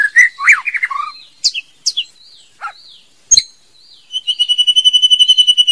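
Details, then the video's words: Female white-rumped shama song of varied rich whistles and slurred notes with short pauses, ending in a fast even trill of about twenty repeated notes. Clean recording, no background noise. "TIẾNG CHÒE LỬA MÁI HÓT CHUẨN MỚI NHẤT | Copsychus malabaricus"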